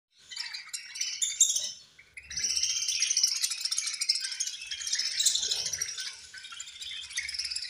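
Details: Budgerigars chirping at feeding time; dense, high, scratchy chatter from several birds at once, with a brief pause after a louder burst, then continuous twittering over faint low knocking.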